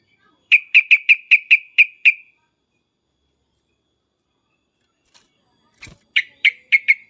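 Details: Sooty-headed bulbul, excited calling: a fast run of seven loud clipped whistled notes, a long silence, then a click and four more notes in the same rapid pattern.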